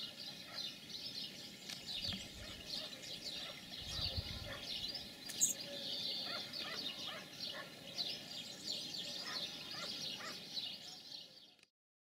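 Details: European serin at a wild nest in spring 2018, from one of the season's early clutches; rapid high-pitched tinkling trills pour out almost nonstop for about eleven seconds, then stop abruptly.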